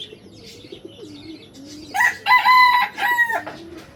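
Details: Rooster crowing, a call of territory and power aimed at other males and at attracting hens: one loud harsh crow of about one and a half seconds in three stepped, strongly harmonic parts, after soft low cooing and warbling notes from other birds.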